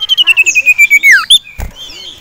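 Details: Caged male sirtu, agitated at seeing a rival male and a female, sings a fast, even trill of high notes that slides lower, then ends in a sharp downward whistle; a brief thump follows.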